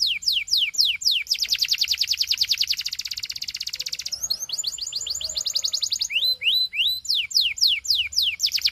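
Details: Belgian canary song meant to set other canaries singing: quick descending whistles lead into a dense fast trill, followed by a stuttering series of short notes and more falling whistles.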